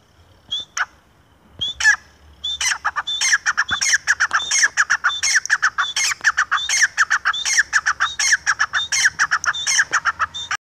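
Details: Francolin (teetar) starts with a few separated squawks, then settles into a loud, steady run of harsh, repeated call notes, roughly eighty per minute, sustained to the end. Faint low rumble underneath.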